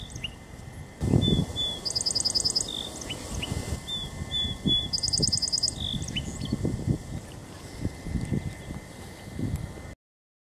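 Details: A male Song Sparrow (Melospiza melodia) sings twice, about three seconds apart: clear introductory notes, then a high, buzzy trill, over low wind rumble and a steady hum. Songs may vary slightly between birds.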